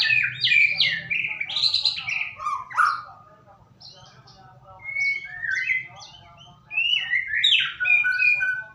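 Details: White-rumped shama song used as a lure to get other shamas singing: rich, fast whistled phrases sweeping between high and mid pitch, some slurred and buzzy, in bursts separated by a brief quieter pause, with a low hum beneath.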